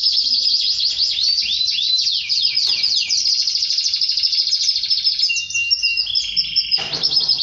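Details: Canary singing, said to mate with its female after hearing this song; dense, high, fast song of rapid sweeping notes and rolling trills, ending with a steady held whistle and a short burst.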